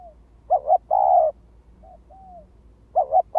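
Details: Spotted dove decoy calling to lure wild doves: a doubled short coo and a long rolling coo, followed by faint softer notes and the start of another phrase. Background hum is low.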